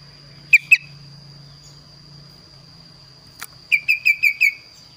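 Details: A kaso-kaso bird sings actively, its voice described as unique and varied: two bright whistled notes, a pause and a sharp click, then a fast run of five even falling notes, over a steady hum.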